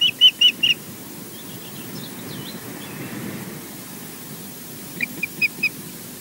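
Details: Ospreys at their nest at Loch Garten, Scotland, on a live camera during a mating visit by the male; short bursts of three to four ringing whistled chirps at the start and end, faint softer notes between.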